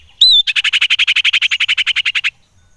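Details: Lure call of a common iora meant to stir other ioras: a brief upswept whistle, then a loud rapid pulsed chatter of about twenty even beats lasting nearly two seconds.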